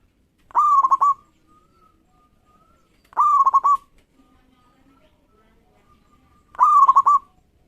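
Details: Local zebra dove in eager song meant to make rivals sing at once: three clean, loud phrases of a clear coo and quick rolling trill, repeated about every three seconds over near silence.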